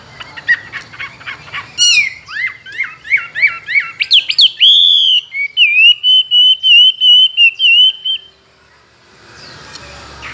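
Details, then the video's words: Tame caged Chinese hwamei, kept two years and trained for singing contests, with many wild voices. Loud varied whistled phrases with rapid rising and falling notes, then a long run of evenly repeated clear whistles, ending in quiet. "Họa mi thuần nhiều giọng rừng,chim đấu hót tốt"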